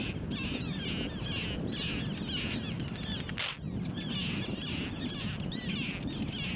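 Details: Arctic tern family of four: dense run of rasping, squawking calls from more than one bird, nearly continuous over heavy wind noise, with a brief break midway.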